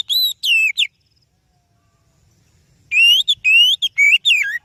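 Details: Singing oriental magpie-robin, offered as lure song for training other birds, gives two swooping whistled notes, falls silent for about two seconds, then resumes with a rapid run of rising and falling clear whistles.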